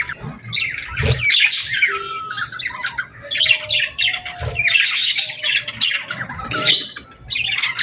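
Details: Several birds chirping together at sunset on a summer evening: rapid high squeaky twitters in bursts, a few thin clear whistled notes in between, and occasional soft low thuds.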